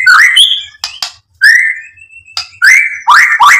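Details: White-rumped shama, played to goad another bird into singing: loud rising whistles and sharp clicks in quick succession, with a short pause midway.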